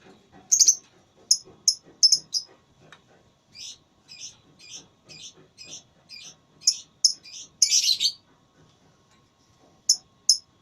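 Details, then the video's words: Lovebird in a singing contest, with a run of sharp high chirps, a softer evenly repeated series of notes, a loud harsh burst, and two final piercing chirps. "Lovebird Tarung Suara"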